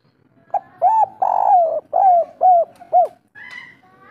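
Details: Local spotted dove singing the kuk 3 style, a lure recording for prompting doves to sing: mellow throaty coos, a long rolling note followed by a run of short evenly spaced coos. A brief higher note comes near the end.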